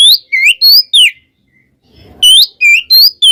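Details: Twin Oriental magpie-robins provoking others of their kind. Loud, ringing upslurred and downslurred whistles come in quick groups, separated by a one-second pause with faint rustling.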